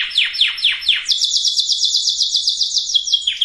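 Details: Canary song for preparing hens and cocks to breed: four quick downward-sweeping whistles followed by a long, even, rapid high trill of repeated notes, then a final downslurred note.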